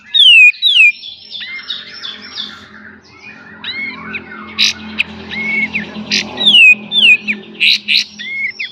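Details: Pied triller master song for training cage birds in beset and tembak style: falling whistles and sharp bursts over a faint hissy, humming background, with short slurred notes scattered between louder outbursts.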